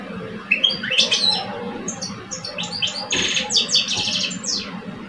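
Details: Two caged male European goldfinches in a singing contest, Algeria, one an older seasoned bird and the other two years old; rapid tinkling twitters and buzzy, ringing notes tumble in quick bursts over a steady low hum.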